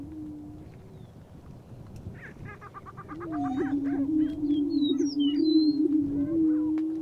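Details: Male lesser prairie chickens in Kansas's Flint Hills booming to win a hen: after quiet rustling and a burst of rapid clucking chatter, a sustained low droning boom rises and carries on, topped by brief high whistled squeaks.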